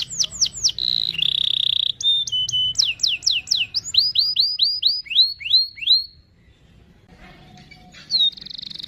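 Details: Canary singing a long rolling gacor song, used as a lure to teach a young canary to sing: rapid down-slurred notes, buzzy held tones and sweeping whistles, a brief pause, then a short buzzy phrase.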